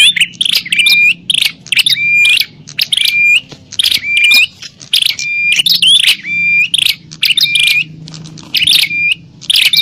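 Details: Bar-winged prinia fighting call used as a lure for wild prinias: loud, noisy bursts of sharp buzzy chirps mixed with clear rising whistles, repeated in quick volleys about every half second with short gaps.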